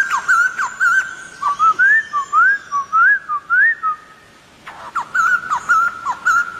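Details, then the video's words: Laughingthrush in full song: wavering whistled phrases with rising slurs, a quiet gap of about a second, then a renewed burst of clipped whistles and sharp descending notes. "Poksay Thailand Gacor"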